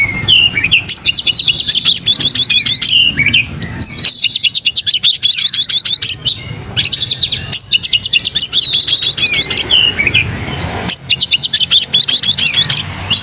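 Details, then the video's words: Kacer (Oriental magpie-robin) singing gacor, tail fanned, for pancing: repeated bouts of fast high trills alternating with slurred whistles, four bouts across thirteen seconds, strong and continuous. "pancing Kacer gacor buka ekor"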